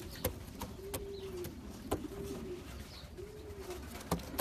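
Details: A racing pigeon from a champion long-distance line coos in smooth, swelling notes, each about half a second, repeated three or four times, punctuated by crisp clicks.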